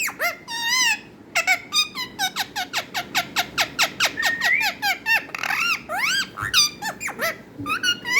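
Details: Talking parrot giving a rapid series of short, sharp squeaks and whistled notes, many sweeping up or down in pitch, repeated about three to four times per second, with a few longer rising whistles; no clear words.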